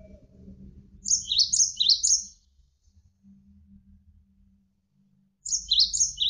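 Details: Javan sparrow song recorded as a training tape with running water behind: two bursts of three or four high, clipped chirps that dip and rise, separated by a few seconds of low watery murmur.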